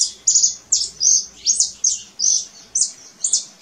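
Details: Canary singing in nature: bright, high chirped notes in short two-part bursts, repeated about every half second in a steady chain, with a faint background hum.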